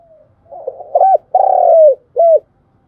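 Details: Spotted dove giving its bowing and calling coos, used to stimulate decoy birds in trapping training. Soft low notes lead into one long, rich coo with a falling end, followed by a short final coo.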